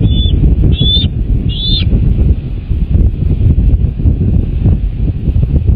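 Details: American bald eagles at their nest, from a live nest camera on 10 March 2024 at 09:53: three high, thin, whistled notes with slight upward flicks in the first two seconds, then a steady loud low rumble.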